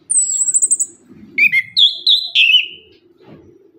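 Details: Orange-headed thrush song used as a lure for birds that have stopped singing: a loud, very high rattling trill, then three bright whistled phrases sliding downward, with low murmuring background noise.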